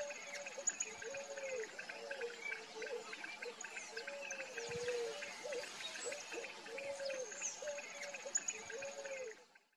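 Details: Picazuro pigeon, free in nature, giving a steady series of low, rounded, arching coos in quick succession, over a faint background of thin high whistles and a buzzing, insect-like hum.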